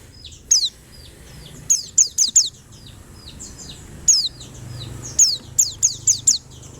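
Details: High, thin, falling chirps from a white-eye. They come in bursts: a pair, then a rapid triplet, then later a group of five, with soft twittering notes between the bursts.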